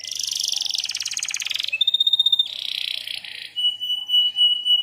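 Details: Canary master song used to prompt other canaries: a fast buzzy trill, a pulsed bright whistle, another rattling roll, then a long pure whistled tone.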